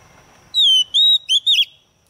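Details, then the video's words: Female white-rumped shama kept as a lure to trigger singing, giving four clear whistles: two long steady tones followed by two shorter wavering, slurred notes. "Choè than mái mồi hót kích chim nhanh hót nhanh căng lửa"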